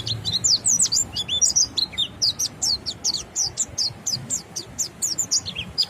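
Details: Caged white-eye singing in the ngalas style to stir other white-eyes into song: quick, high, thin chirps and short sweeping notes, about three per second, steady throughout, over faint low background rumble.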